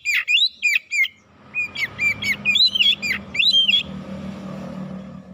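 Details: Oriental magpie-robin singing a provoking lure song, quick chains of loud, slurred whistled notes about four per second, ending in steady low background noise.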